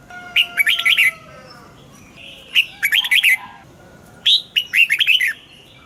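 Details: Red-whiskered bulbul singing a morning song for training caged birds, wild double-note style: three similar phrases of rapid, bouncy whistled notes sliding downward, repeated about every two seconds.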